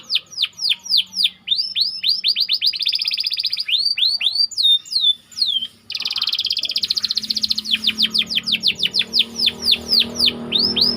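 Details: White canary singing tight rolls to serve as a master for canaries in training: repeated falling whistled notes, a buzzy trill, looping sweeps, then a long rapid series of regular descending notes.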